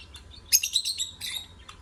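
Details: Lovebird singing, played to stimulate other birds: a quick burst of high, harsh chirps and squeaky notes, then a second shorter burst and a final chip, over a quiet background.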